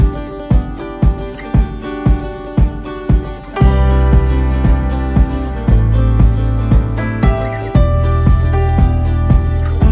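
Loud rhythmic music with jingling bells and a steady beat plays throughout, without any animal calls.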